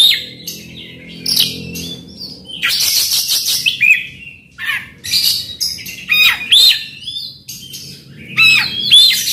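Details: Oriental magpie-robin lure song with rough fill: scratchy, buzzing outbursts and a rapid rasping rattle, mixed with short sweet upslurred whistles that recur through the second half.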